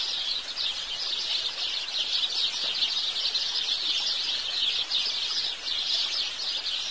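House sparrows chatter in a dense, unbroken wash of high chirps that overlap for the whole stretch, as if from many birds at once.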